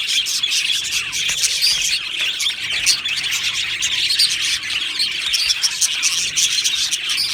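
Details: Budgie colony kept in an aviary, chattering nonstop; dense high scratchy warbling mixed with harsher squawk-like notes and quick chirps, all overlapping in an even, lively din.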